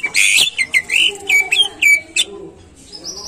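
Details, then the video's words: Greater green leafbird song played to coax caged birds into singing eagerly: a quick string of clear, high whistled notes, some rising and some slurred, repeated about twice a second, then stopping into quiet hiss. "Pancingan Cucak Ijo Biar Rajin Bunyi Dan Gacor"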